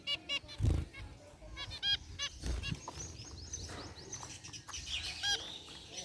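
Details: Captive zebra finches relaxing in a cage, a group of gray and white birds, giving sharp, stacked, nasal beeps spaced unevenly, with low thuds and background hiss.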